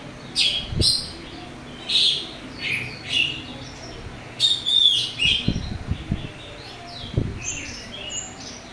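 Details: Orange-headed thrush in full open song with a rough filler, meant to stir other thrushes to answer; a run of short, bright whistled bursts every half second or so, with low thumps and knocks in between.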